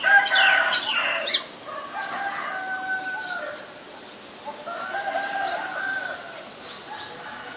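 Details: White-vented myna (Acridotheres grandis) recorded 9 March 2022 in Ubon Ratchathani, Thailand: a loud shrill opening burst, then hoarse, level, harmonic notes repeated in rough runs, with fainter high chirps from other birds behind.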